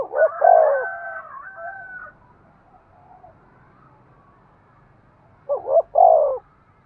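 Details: Spotted dove coos, a call said to stimulate breeding: a loud throaty coo run trailing into a long, even tone, a pause with faint sound, then two strong, low, curving coo notes.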